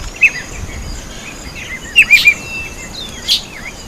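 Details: Red-faced mousebird at a birdbath: a quick whistled chirp, then a rapid run of three short, clear notes, and a final higher chirp. Faint insect hiss and other high twitters sit behind.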